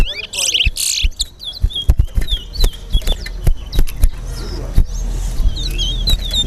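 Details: Large-billed seed-finch (towa towa) in a Linden versus Georgetown bird race at Linden, Guyana: short whistled, slurred notes come in scattered bursts. People talk, count aloud and tap loudly nearby, and there is background music.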